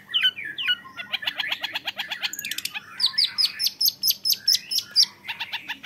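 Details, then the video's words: A young long-tailed shrike, kept as a cage bird, delivers rapid mixed song: clustered scratchy notes, then a long series of bright, evenly repeated high chips about twice per second, with a low background hum. "MENYAKSIKAN GAYA CENDET MUDA"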